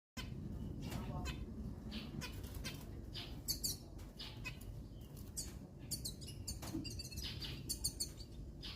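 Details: Zebra finches, put out to sunbathe for their health, give short, nasal, toy-trumpet beeps over a steady low rumble of background noise.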